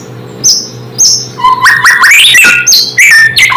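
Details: Provoking song of a White-rumped shama: isolated high chips at first, then an energetic flurry of rising whistles, slides and quick chirps in varied phrases.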